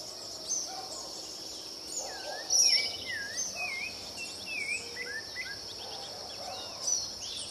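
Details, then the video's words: Rufous-bellied thrush singing: clear, varied whistled phrases, some slurred up and down, delivered in loose succession over a steady high insect drone. "Sabiá cantando."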